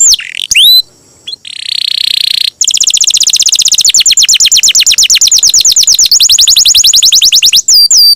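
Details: Champion-style canary singing a long roll for training songbirds: a few sweeping whistles and a buzzy burst open into a sustained rapid rolling trill of high chattering notes.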